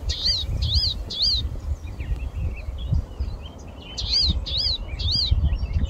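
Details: Palestine sunbird (Cinnyris osea) calling: two bursts of three sharp, high chirps, each note quickly rising then falling, over a steady low rumble.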